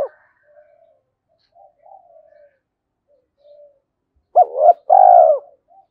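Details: Decoy spotted dove cooing in the early morning to attract wild doves; faint distant coos first, then one loud phrase of a broken double note and a long hoarse coo.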